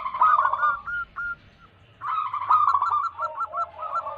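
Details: Local wild zebra dove recorded as a lure for wild doves: blurred cooing bursts, a short pause, then dense overlapping phrases of quick hooked notes.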